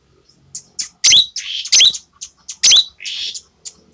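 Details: Tame caged Asian glossy starling, red-eyed and black-feathered, with a clear shrill voice; loud harsh screechy bursts alternate with buzzy notes in an irregular series.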